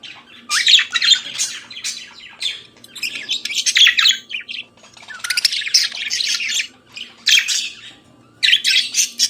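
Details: Budgerigar singing in the morning: dense bursts of scratchy, chattering warble with bright squeaky notes, delivered in phrases of one to two seconds separated by brief pauses, over a faint steady hum.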